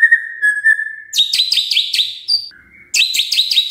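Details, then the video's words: Magpie-robin on a lure recording: a steady level whistle, then a quick run of bright, buzzy trilled notes, a brief lower whistle, and another fast bright trill. "Pancingan Murai Gacor"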